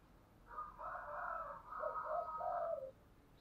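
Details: Spotted dove used as a decoy calling to lure wild birds, heard faint and muffled: one blurred, reverberant cooing phrase of several rolling notes over steady background hiss.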